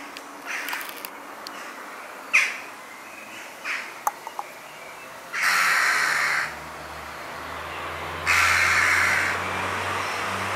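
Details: Young Western jackdaws in a back garden in Weert, the Netherlands, give a few brief clipped notes, then two long harsh, rasping calls of about a second each, over a steady low hum of distant traffic.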